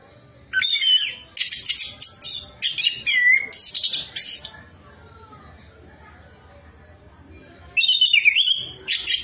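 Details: Orange-headed thrush song used to prompt other birds to sing: whistled rising and falling phrases mixed with high, harsh chattering bursts, then a silent gap of about three seconds before a fresh whistled phrase.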